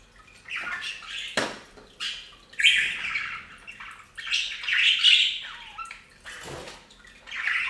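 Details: Budgerigars bathing on a fountain chirp and warble in short scratchy phrases, with occasional splashes of water between calls.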